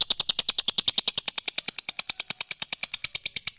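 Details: Lovebird fighter giving the long trill called ngekek, used to prompt other lovebirds to answer and sing: a fast, steady run of sharp, high chirps, about eight each second, unbroken throughout.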